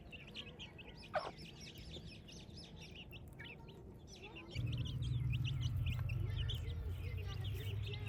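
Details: Village chicks on a morning: a steady stream of short, high peeping chirps, many birds overlapping about four per second, over a low rumbling hum that grows louder halfway through, with one sharp knock near the start.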